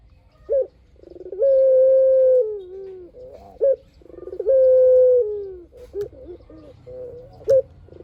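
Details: Spotted dove singing steadily, a lure recording: a brief rising note, a rolling burr, then a sustained even coo that sags downward, given twice, with faint softer coos between.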